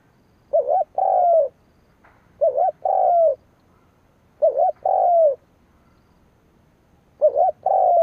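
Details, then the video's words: Kept spotted dove used as a decoy, calling to stir up rivals: four phrases about two seconds apart, each a brief warbling note followed by a drawn-out soft coo that sags at the end, with silence between. "Cu mồi gáy gù / Tiếng chim cu mồi kích bổi / Cu mồi gáy bổi nghe hăng máu"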